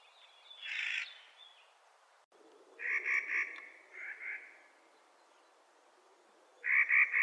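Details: In spring a Clark's nutcracker gives harsh, grating calls: a rasping squawk, then a burst of stuttered, rattling notes in quick succession and another stuttering series at the end, with quiet pauses between.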